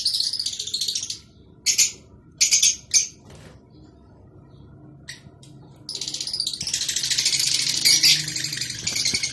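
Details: Rosy-faced and Fischer's lovebirds calling to encourage mating: scattered sharp high chirps and squeaks with gaps between them, then a long unbroken stretch of shrill, busy chattering.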